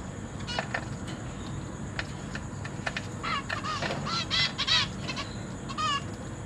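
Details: Caged zebra finch family with newly hatched and juvenile young, parents feeding chicks: quieter scattered nasal calls at first, swelling into a short cluster of louder buzzy notes near the middle, with steady low hum throughout.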